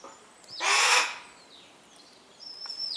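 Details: Captive Harris's hawks feeding their chicks: one loud, harsh, rasping scream about half a second long, then quiet, and later a thin high whistled tone.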